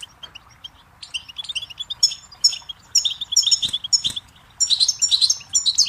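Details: Goldfinch song for teaching chicks and songbirds: it starts with sparse high chirps, then builds into lively, tinkling, rapid twitters and trills, ending in a dense bright flourish.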